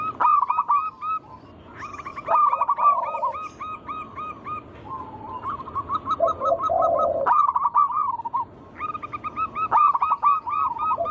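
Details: Several local zebra doves singing together to draw other doves into song: repeated phrases of quick hooked coos, each run opening with a sharp accented note and trailing off, with deeper soft rolling coos in the gaps.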